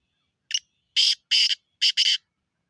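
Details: A black francolin's harsh call: a short thin opening note followed by a series of loud, rasping, clipped syllables, the final pair run together, with no other sounds.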